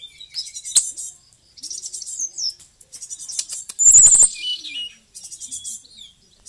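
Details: Bali white-rumped shama in energetic song. Continuous high, scratchy chattering and short whistles are broken by a loud, harsh rattling burst midway.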